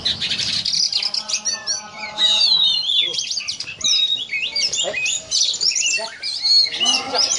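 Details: Oriental magpie-robin (kacer) of the Yakuza type, singing in the 'ngobra' style likened to a cobra snake: a dense run of high whistled and buzzy notes, sharp upslurs and trills, with lower harmonic rasping underneath.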